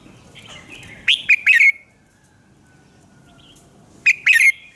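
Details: A red-whiskered bulbul sings at dawn, the kind of decoy song used to train birds: two loud, jerky phrases of three to four rising-and-falling whistled notes, with a quiet gap between.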